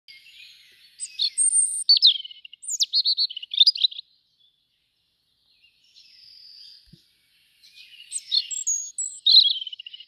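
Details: Young European robin at a bird webcam, 2 August, gives two bursts of high, liquid, rapidly varied warbling phrases with thin, piercing notes, separated by a few seconds of near silence.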